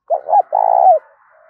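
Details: Spotted dove cooing to stimulate wild-caught doves to call and settle: a short double note, then a longer rolling coo, all mellow and low-pitched, clean with no background.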